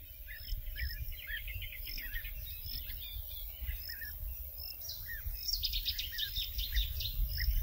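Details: Several European bee-eaters at the Soča river mouth nature reserve, Slovenia, on 14 June 2024, trade short, rolling, liquid 'prruip' calls that overlap in a busy chatter, over a steady low rumble of wind.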